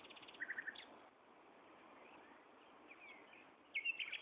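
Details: Common nightingale in song at Gaasperzoom on 16 May 2012 at 3:30 pm: an opening series of rapid repeated notes and a lower triplet, soft twittering in the middle, then a loud, varied closing phrase, all over constant hiss.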